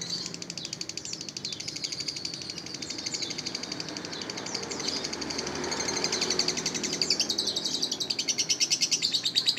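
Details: Lovebird in full, busy chattering song: a dense, rapid stream of high, scratchy pulsed notes running without pause, with buzzy trills rising toward the end.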